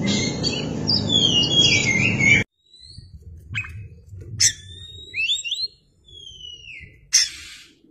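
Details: An Oriental magpie-robin with tail spread sings in a lure recording: a loud dense burst of whistled warbling, then near silence broken by spaced clear whistles, falling glides and sharp upward flicks.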